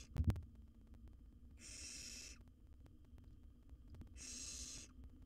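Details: Wild barn owl nestling in a monitored nest box, filmed as it swallows a rat fast: two drawn-out, harsh, breathy hisses, each close to a second long, preceded by a sharp knock and over a low rumbling hum.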